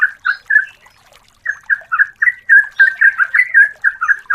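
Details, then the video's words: Yellow-vented bulbul female summoning a male, played as a lure: a brief chattering phrase, a short pause, then a long, steady run of bright, bubbling notes, about two each second or faster, with no other sounds. "Burung Trucukan FULL ISIAN GARUDA Gacor JITU CETAK ROPEL PANJANG pancingan masteran betina memanggil"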